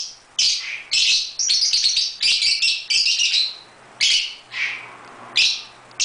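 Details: A lively run of rasping, high chirps from pet lovebirds having fun in a birdroom, calls tumbling out rapidly and irregularly, some running together into chatter before spacing out again.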